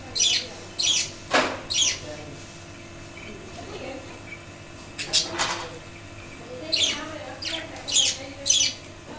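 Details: Pet budgies in a wooden breeding cage, after the loss of the male, give short scratchy squawks in quick runs at the beginning and end, with a broader rough call in between. A quieter stretch falls in the middle.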